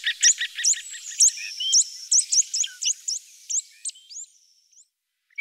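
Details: Great grey shrike in the Loonsche Land near Efteling: a series of quick sharp upslurred notes, about two per second, fading away toward the end and followed by near silence.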